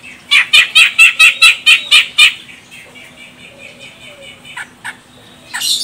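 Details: A female grey-cheeked bulbul of the Medan, Sumatra type calls to draw song from a male. About ten harsh, nasal notes come in a fast even series, followed by a few faint single notes and a rough burst.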